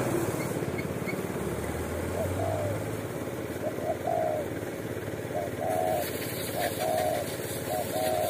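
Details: Bold wild spotted dove at an Indonesian watering post, sought by bird lurers. Repeated short coo phrases grow steadily clearer over a loud idling engine, with a brief hiss near the end.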